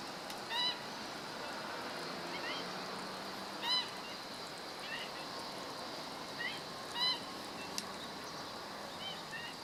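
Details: Black-winged stilt filmed on 17 August 2013: short, sharp yelping notes rich in overtones in three clear bursts, with quieter single calls between, over a steady background hiss.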